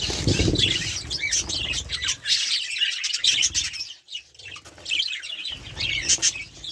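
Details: Budgerigars chattering steadily in a dense, high twittering warble of rapid squeaks and chirps, with a low rumble under the first two seconds and brief quieter gaps.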